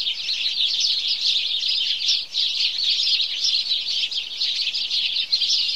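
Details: Flock of house sparrows in morning chorus, producing a relentless mass of shrill overlapping chirps, with only a brief dip in loudness near the middle.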